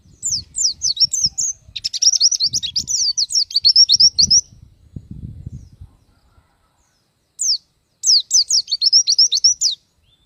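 Oriental white-eye singing a rapid, high, thin twittering song of quick descending notes in two long bursts, with faint low rumbling underneath.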